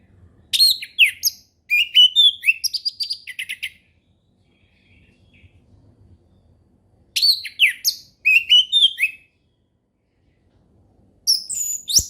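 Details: Orange-headed thrush singing in the relaxed ngeplong style, recorded as a forest-type lure for young birds learning to sing: three bursts of loud, varied whistled and slurred notes, high and bright, separated by pauses of a few seconds.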